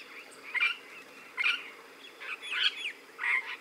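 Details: Regent parrot calls: four harsh, raspy squawks spaced roughly a second apart, each a short rough burst with a grating, slightly warbled quality over a faint steady background hiss.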